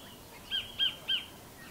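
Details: Three sharp, clipped notes from a kotare, the New Zealand kingfisher, evenly spaced about a third of a second apart, with steady outdoor background hiss.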